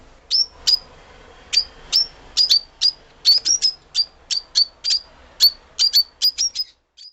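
A lovebird gives sharp, high chirps in irregular bursts, about twenty short shrill notes over several seconds, with nothing else heard.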